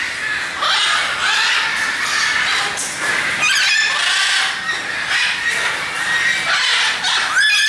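Macaws screech in harsh, raspy squawks that overlap almost without pause, with several birds calling at once.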